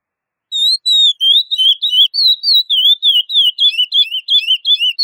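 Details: A lined seedeater sings the classic "praia" song type, a fast run of clear, high whistled notes, about three per second, sliding and varied in pitch, with no other sounds behind it.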